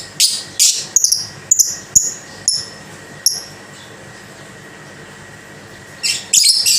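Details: Caged lovebird with a rapid series of short, high squeaky chirps, then a pause and a brief burst of shrill chatter, over a faint steady hum.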